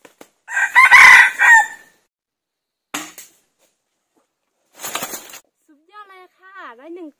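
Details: A red junglefowl decoy used to lure wild junglefowl, which caught one bird: one loud, harsh crow lasting about a second, then two brief rustling bursts and a few soft, wavering clucks.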